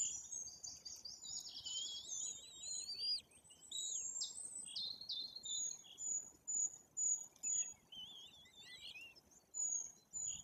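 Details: White-tailed eagle chicks, nearly three weeks old, at a nest in Bory Tucholskie, Poland, during feeding by their parents; thin, high, wavering whistles and squeaky rapid notes, then short piping calls repeated about twice per second.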